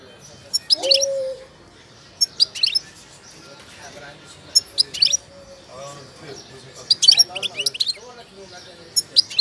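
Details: A Moroccan European goldfinch, currently moulting, gives quick bursts of bright, tinkling twitters every second or two, with soft low murmurs underneath, possibly a person speaking.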